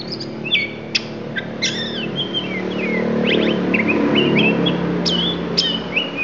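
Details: Varied song of an oriental magpie-robin from Lampung, full of fill phrases: sharp chips, slurred whistles and quick trills, partly masked midway by a rising low vehicle rumble.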